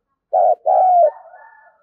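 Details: Spotted dove decoy cooing meant to stir wild doves: one low phrase, a short burred note followed by a longer steady coo that dips at its end, trailing into soft fading murmurs.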